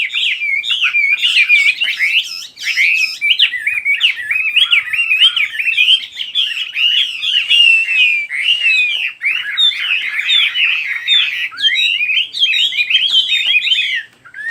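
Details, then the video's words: Bird song heard for calm of mind; continuous rapid twittering and warbling, many quick rising and falling chirps in a dense unbroken stream. "Chỉ có nghe chim hót là tâm hồn thanh thản nhất."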